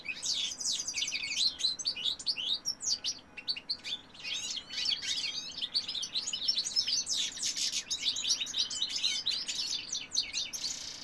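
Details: Male European goldfinch in full song, recorded in 2018: a long, fast, jangling stream of high twittering notes, bright chirps and brief trills, continuing steadily with tiny breaks against a quiet background.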